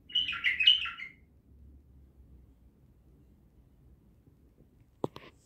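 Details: Bulbul delivering a quick, chattering warbled phrase at the start, then silence broken by a single sharp click.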